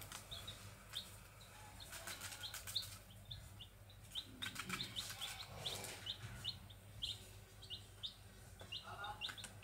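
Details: Grey junglefowl chicks calling continuously: brisk series of short, high, rising peeps, often in quick pairs, mixed with rustling, crackling handling noises and a low background hum.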